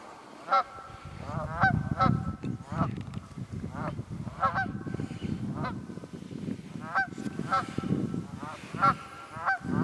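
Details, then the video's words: Several wild geese call in the Quehanna Wild Area, PA, on 27 February 2018, giving frequent ringing honks in quick succession, accompanied by steady low-pitched rumbling noise throughout. "Wild Geese Quehanna 27 Feb 2018"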